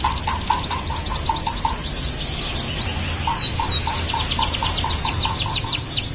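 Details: Tame canary pouring out quick falling sweeps and slurred high whistles over a constant background hiss, while a lower repeated note sounds steadily beneath.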